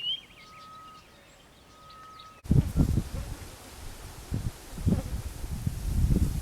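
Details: Early morning in bush near a home in Kilifi, a Grey-headed Bushshrike sings close by, louder than others: a long, level whistle of about two seconds, faint chirps from other birds, then loud rustling and wind-like thumps.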